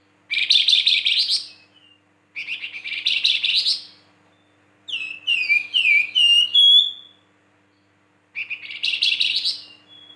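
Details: Flamboyan song alternating rough buzzy chatter bursts with a run of crisp descending whistled slurs. Four phrases in total, with brief gaps between them.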